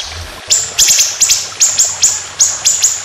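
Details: White-rumped shama competition song in rapid 'tembakan' style: about ten piercing high notes, each a quick downward flick, some doubled, delivered in an uneven burst.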